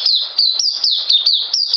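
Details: Oriental white-eye (puteh) in mousey style, 9 June 2019: a short, bright burst of rapid high whistles, each note gliding downward, packed closely together.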